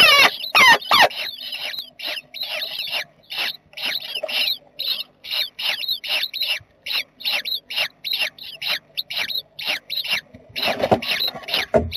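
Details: Jackdaw family in a nest box, 7 May 2020. A few harsh calls come first, then a long series of thin, high, chevron-shaped squeaks, about two per second, with a burst of rougher calls near the end.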